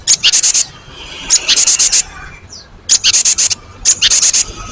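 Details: Cinereous tit repeating quick, buzzy, pulsed rattles, four bursts about a second apart with a faint short note between. The recording serves as a lure to draw replies from other birds.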